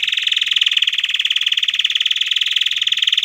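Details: Courting male canary urging a female to mate, singing one unbroken, loud, fast rattling trill held at a steady high pitch for over three seconds, its rapid pulses evenly packed.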